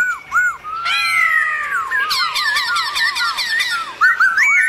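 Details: Black-throated laughingthrush singing a forest-style song to excite other laughingthrushes; arched whistles, a long descending slurred whistle, then a bouncing wavering trill with high overtones and more arched whistled notes.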